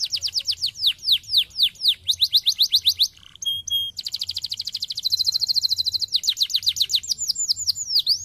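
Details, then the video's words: Canary song for stimulating lazy canaries to sing: loud repeated descending sweeps, a brief pure whistle pair, then a rapid high trill and more swept notes. "estimulando o som de canários preguiçosos cantando"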